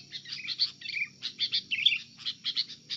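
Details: Captive sooty-headed bulbul under attack from another bulbul: rapid chattering chirps and short warbled notes, bursts every fraction of a second, with a low hum in the background.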